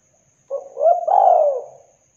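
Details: Spotted dove, a lure recording meant to get doves singing quickly: one low, mellow coo that swells then slides down over about a second and a half, in an otherwise quiet setting with a faint steady high hum.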